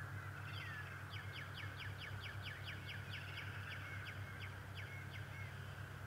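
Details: Bald eagle father at Decorah, 11 March 2018, delivering a long, rapid chittering run of high, sharply dropping notes, about fourteen in a row, ending in softer squeals, against a low droning hum.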